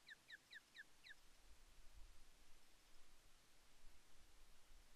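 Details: Female osprey at Loch Arkaig Nest One on 5 May 2024, calling for fish from her mate, who ignores her. A nest camera picks up five quick, high, down-slurred whistled notes in about one second, then quiet with a low background rumble.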